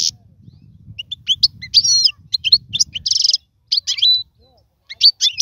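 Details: European goldfinch song meant for teaching young birds to sing: scattered twitters and slurred whistles, a harsh buzzy rattle around the middle, then a level whistle and more sharp chirps, over a soft rumble early on.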